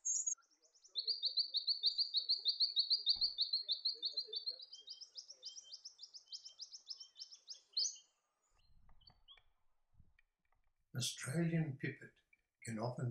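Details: Australian pipit, often seen dashing around grasslands chasing insects in the New England region of New South Wales, Australia: a fast, high, buzzy run of even notes lasting about eight seconds, followed by music.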